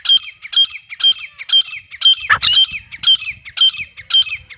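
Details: Grey francolin, wild, recorded in a natural setting; a hunting call of rapid, harsh, high-pitched ringing notes repeated about twice a second, with a brief lower rough note partway through.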